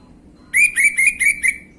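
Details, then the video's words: Lure song of an orange-headed thrush for prompting untrained birds to answer: five short, bright whistled notes on nearly one pitch, delivered evenly about every quarter second, with a faint steady hum beneath. "PANCINGAN ANIS MERAH BAHAN/GAMBLINGAN | Gak Pake Lama Langsung Ngrespon Bunyi"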